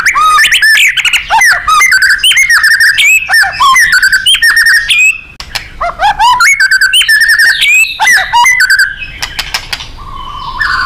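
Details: White-rumped shama in full, lively 'gacor' and 'nembak' style song used to train contest birds: loud, fast run of varied whistles, sharp chirps and rising slurred notes, bursts of rapid repeated trills, brief pause near the middle.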